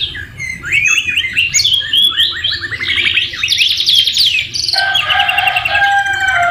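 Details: Canary song packed with white-rumped shama (murai batu) phrases, used as a tutor recording: fast buzzy trills and slurred whistles rising and falling, then a sustained lower rolling trill near the end.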